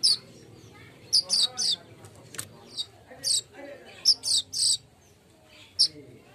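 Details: Golden-headed weaver recording used as a lure to make birds sing actively: sharp, very high chirps come singly or in quick clusters of two or three, with irregular gaps. A low steady hum runs underneath.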